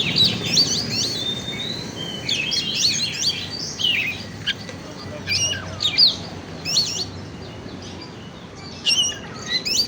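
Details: Lure song of an oriental magpie-robin, meant to stir other birds: scattered bursts of sharp, high whistles and twittering trills, some sliding notes, with gaps of silence between phrases and a faint low background rumble.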